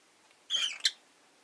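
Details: Caged rosy-faced lovebird, one of five kept in a cage by a window, lets out a single loud, harsh, buzzy chirp lasting under half a second, ending in a sharper accent; quiet room otherwise.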